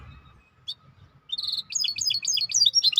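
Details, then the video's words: Maestro bird starting to sing after a quiet moment: a brief high note, then a short buzzy trill and a string of quick, bouncing chirped notes. "احلى تغريد مباشر لطائر المايسترو"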